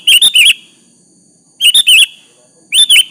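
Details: Lure song of a sooty-headed bulbul, meant to provoke a rival into replying: short clusters of fluty, bubbling whistled notes repeated roughly every one and a half seconds against a quiet background.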